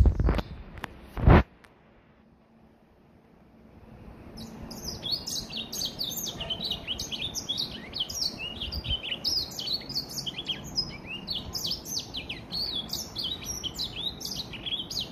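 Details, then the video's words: First complete song of a three-month-old Gray Finch x Lemon Breasted hybrid, recorded in 2020. A few loud knocks and a near-silent pause come first, then a sustained, busy warble of high rapid chirps and downslurred notes. "Gray Finch X Lemon Breasted 2020"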